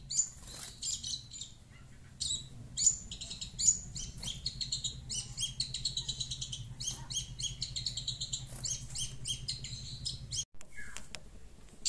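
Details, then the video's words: Long-tailed Shrike chattering in response to sound from a phone, giving quieter clustered scratchy high notes and short buzzy phrases over a steady low hum, ending with a brief pause and a falling note. "Burung pentet cerewet dengar suara hp"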